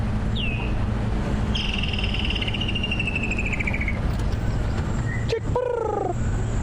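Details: Woodland kingfisher on a November morning safari drive, Sabi Sands, a summer call: a sharp high note, then a long whistled trill sliding slowly downward, over the steady rumble of an idling vehicle.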